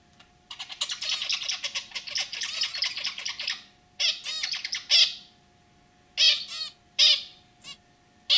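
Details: A male pet zebra finch pours out a dense, rattling, buzzy chatter for three seconds, followed by a few loud separate nasal beeps from the pair.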